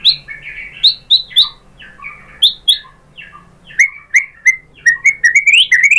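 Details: White-rumped shama song to provoke other shamas: spaced, clear whistled notes with sharp high accents, quickening into a rapid sequence of slurred whistles toward the end.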